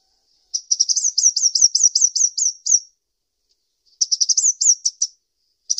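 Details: Sunbird giving fast, high, twittering phrases of a dozen or so sharp notes, each slightly rising and falling, with a short pause and then a second similar burst. No background.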